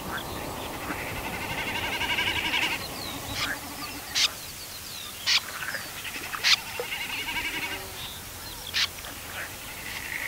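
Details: Common snipe in September 2018 giving short, harsh, rasping single calls about every one to two seconds, sharp and loud against a background of other birds' thin whistles and twittering chirps.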